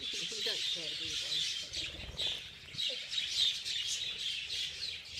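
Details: A crowd of budgerigars in a feeding frenzy chirps and warbles continuously, while a human voice speaks briefly near the start.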